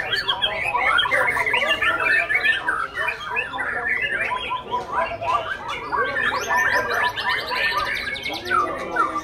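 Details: Performing young Oriental magpie-robin delivers rapid, irregular chattering phrases about three per second, harsh gurgling notes giving way to thin high trills near the end, over a background of talk and other birds.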